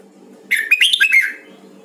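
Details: Caged Red-whiskered bulbul of the Huế song style, recorded for voice training: one short warbled phrase of quick, bright, slurred whistles rising and dipping, lasting under a second over a faint low hum.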